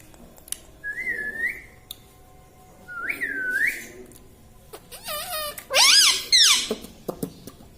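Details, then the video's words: Talking pet parrot indoors, mimicking words such as "mitthu" and "mummy": two soft rising whistles, then louder harmonic, speech-like syllables that arch and fall, with a few clicks at the end. "Talking parrot - mitthu mitthu - tota - Mummy Mummy - pattu Parrot Talking Mummy"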